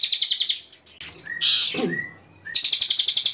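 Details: Ashy Tailorbird in clear song for tutoring shamas, leafbirds and magpie-robins. Rapid high note runs open and close the passage, with a thin rising whistle and a rustle in between.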